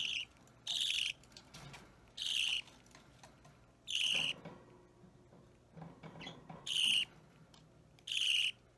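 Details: Budgerigar chick about three weeks old, a pet green or opaline bird, restless while being hand-fed, gives loud harsh rasping begging calls in bursts of about half a second, repeated irregularly with quiet gaps and faint handling noises between.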